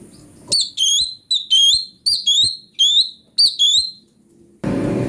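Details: Cucak cungko (brown-breasted bulbul) singing to serve as a master for magpie-robins: clear whistled notes given in pairs, each pair dipping then rising, separated by short pauses, ending in a sudden burst of broad noise.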